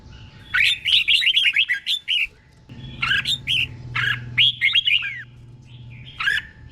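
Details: Red-whiskered bulbul, caged, giving doubled 'berl' song at an unhurried, clear pace for training birds. Fast warbled phrases of several sweeping notes come in three groups split by pauses. A low background hum is present in the middle.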